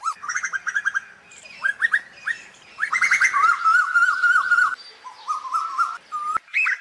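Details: Asian koels calling to the flock: fast bursts of short, rising, ringing notes, then a longer bubbling run and a few higher whistles, with more than one bird calling.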